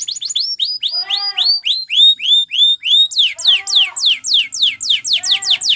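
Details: Canary training song of rich arched whistled notes repeated in steady groups, each with lower harmonic echoes, switching to a faster series of sharp downward slurs.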